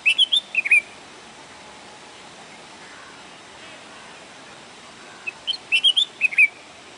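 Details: A bulbul singing in Pu La Deshpande Garden gives two short bursts of bright, liquid whistled notes, rising and falling, about five seconds apart, over a faint steady hiss.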